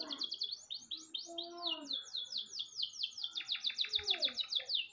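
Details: Canary master song used to train other birds, with fast repeated downslurred high notes, quick trills, a few lower sliding whistles and a steady rapid rolling series near the end.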